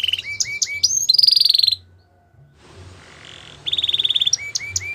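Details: Belgian canary song with short hooked notes and a brilliant rapid trill, a pause of about two seconds, then a buzzy high roll and sharp chipped notes.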